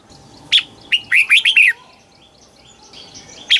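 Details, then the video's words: Red-whiskered bulbul from Thailand singing southern-style song used to excite or teach birds; one sharp note, then a run of four smooth, slurred warbles, ending with a lone high whistle. "เสียงนกกรงหัวจุก สำหรับต่อ หรือ เปิดให้นกคึก เสียงเพราะๆ"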